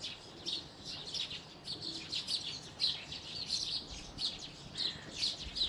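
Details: Chirping house sparrows, a steady stream of short, high, slightly buzzy notes from several birds at once, pulsing unevenly without pause over quiet background noise.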